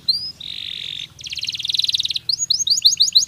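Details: Natural canary song meant to prepare birds for mating: a brief whistle, a steady buzzy trill, a rapid pulsed rattle, then quick rising chirps repeated several times, with a soft low hum in the background.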